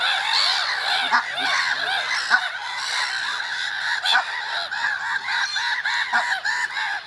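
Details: In early spring a flock of gulls keeps up rapid, repeated, arched yelping notes, about three per second near the end, with a constant wash of other birds calling.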